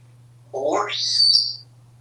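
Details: Pet male African Grey Parrot, hatched 1997, kept at home in Texas, happy and very talkative on a hot day with fans running: a single one-second sound sweeping upward from low and breathy to a high, thin whistle.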